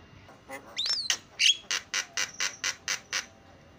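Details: Javan myna singing filler song as a lure: a couple of clear wavering whistles, then a series of harsh rasping notes repeated about twice a second over a faint hiss.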